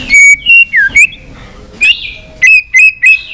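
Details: White-rumped shama singing in a many-voiced competitive bout: short loud whistled notes, one dipping slur, then a run of four bright level whistles about a third of a second apart.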